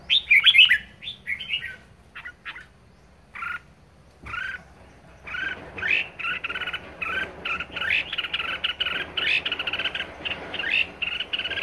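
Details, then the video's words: Captive red-whiskered bulbul singing hard in 'ché' style: scattered warbled notes at first, then near-continuous chattering of short rising whistles repeated rapidly through the second half. "Chào mào hót hay | chào mào ché hay | chào mào siêu ché"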